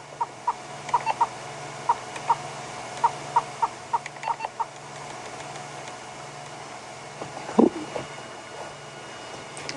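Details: Yellow-billed hornbill on a hot African afternoon safari drive, calling with open beak and throat puffing; a run of short hollow clucks, quickening then fading after about five seconds, followed by a brief lower grunt, over a low hum.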